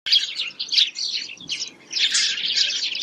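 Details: Sparrows calling in rainy weather: dense, overlapping bright chirps that tumble together almost without pause, rising and falling in short bursts throughout.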